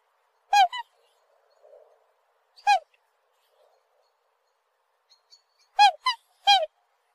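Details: Black swan repeatedly honks in short bursts, some notes paired in quick succession, with clear harmonics and silent gaps of a second or more between calls.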